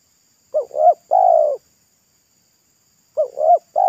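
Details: Local spotted dove singing in pesom-like style beside a road during a trapping try: two phrases of paired short coos followed by a longer steady note, long quiet gap between them.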